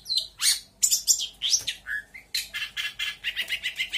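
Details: Lampung long-tailed shrike from Indonesia singing a mimicry-filled song. Rapid varied phrases of high whistles, sharp chirps and buzzy notes shift pitch constantly, then settle into a fast run of repeated short chirps.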